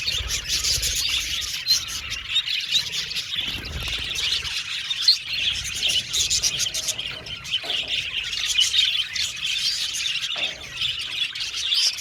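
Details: Budgerigars in an aviary colony giving happy chirps mixed with sharper squawks, a lively high-pitched chorus that rises and dips in loudness, with a few short pauses.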